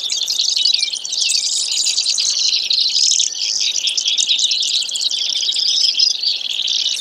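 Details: Brewer's sparrow delivering a long, continuous run of high, buzzy trills and rapid chips that shift pitch without pause, dense and unbroken throughout.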